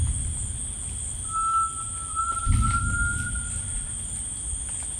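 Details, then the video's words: Pure, tremulous whistled note from a rainforest tinamou, held nearly level for close to three seconds with a slight rise, over ringing insect drone, low rumble and a few soft knocks. "The Singing Tinamou"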